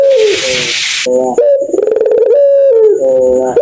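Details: Night-time 'laughing' coo of a puter pelung Barbary dove: a short hiss-like burst, then deep rolling coos with a rapid stuttering middle section and drawn-out falling tones, against a thin constant high-pitched whine.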